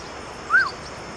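A Beautiful Woodpecker gives one brief, mid-pitched note that rises and then drops away, over a faint steady background hiss.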